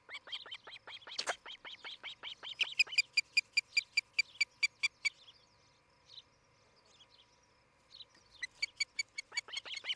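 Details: From a nest cam at Charlo, Montana, on 11 July 2018 in the morning, an osprey gives rapid strings of sharp whistled chips, pausing midway before starting again, with a brief loud knock near the start.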